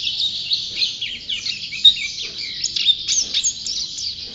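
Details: Champion white-eye, described as a gacor (constantly singing) bird, pours out a high, fast, chattering warble of thin twitters and buzzy notes without pause. A faint low rumble sits underneath.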